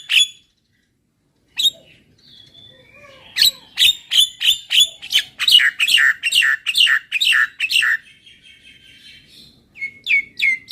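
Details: Javan myna song for encouraging a bird to sing more: a few isolated notes after a quiet start, then a fast series of about fifteen harsh, descending chattering notes, then brief whistled phrases.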